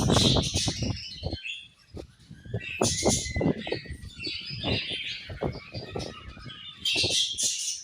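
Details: Several budgerigars during their morning feed: bright, chattering chirps and twitters high up, with frequent low, dull tapping and clicking knocks, likely feeding activity, running through the whole stretch.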